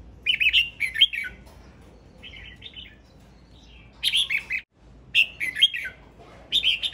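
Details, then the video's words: Male red-whiskered bulbul repeating cheerful, bubbling song phrases, each a cluster of four or five fast whistled notes with abrupt pitch jumps, separated by short pauses and softer notes. "Tiếng chim chào mào trống hót"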